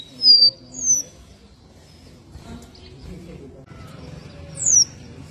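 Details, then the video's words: Caboclinho seedeater song: two high, sharp whistled notes sliding downward in quick succession, a pause of several seconds, then one more high descending whistle. "CABOCLINHO CANTANDO COM BASTANTE FIBRA"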